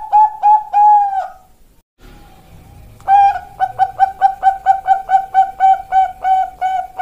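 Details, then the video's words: Song of a young Bangkok-strain perkutut, or zebra dove: three ringing coos, a brief hush, then a brisk, regular series of about thirteen short hollow notes on an even pitch. "Pancingan Perkutut Bangkok Piyik Kualitas Super"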